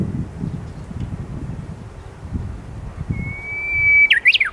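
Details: Energetic Japanese bush warbler, Hirakata, Osaka, midday on 29 March: after quiet rumbling background, one high sustained whistle held about a second breaks into a loud, jerky rising-and-falling flourish at the end.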